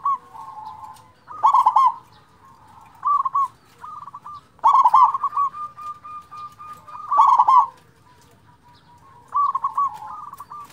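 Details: Local zebra dove used to draw out lazy singers: loud rolling coo phrases roughly every three seconds, interleaved with softer trilling coos and a long thin tone.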